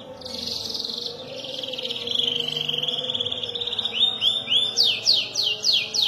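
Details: Young canary (kenari paud) practising its long roll and sharp notes: a buzzy sustained trill slowly falling in pitch, then a string of curved whistled sweeps, with faint background hum.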